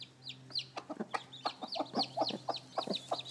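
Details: Freshly hatched chicks beside their mother hen peep rapidly in high, bent notes. Lower soft clucking pulses sound underneath, about twice per second.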